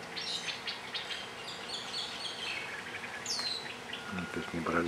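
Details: Grey-eyed bulbul recorded on Ko Lanta, Thailand, giving a busy series of bright chirps and short down-slurred notes, one clear falling whistle near the middle, with low rumbling noise at the end.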